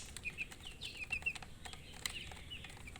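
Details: Chicks chirping softly: a few short, high peeps scattered across a quiet moment, with faint rustling and a click.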